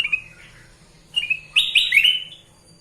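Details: Sooty-headed bulbul, known locally as kutilang emas, singing gacor: a soft note, then a louder chattering run of bright, rising, slurred whistles.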